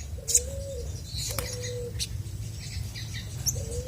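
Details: Energetic singing of a chestnut-backed scimitar babbler: mellow, low, hollow whistles, each rising slightly and then level, repeated about once a second. Faint high chirps and a low rumble lie behind.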